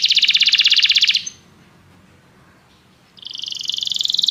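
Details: Canary song for singing training: a dense, rapid high trill lasting about a second, a pause of near silence, then the buzzy rapid trill starts up again.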